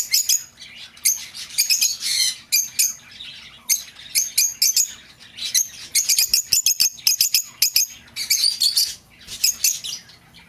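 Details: Lovebird chatter kept for calling back an escaped bird: irregular clusters of shrill squawks and chirps, some runs quick and clipped, others harsher, separated by brief gaps, in a small indoor space.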